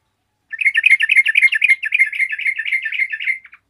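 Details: Yellow-vented bulbul in lively song, answered by other bulbuls. About three seconds of fast, bubbling, warbled chatter, evenly pulsed and fading slightly at the end, in a quiet setting.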